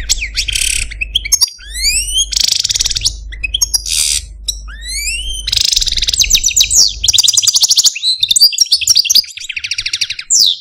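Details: Captive male Algerian Parva goldfinch kept as a pet, singing rising whistled sweeps, harsh buzzy bursts and long rapid tinkling trills, with a low background hum early on.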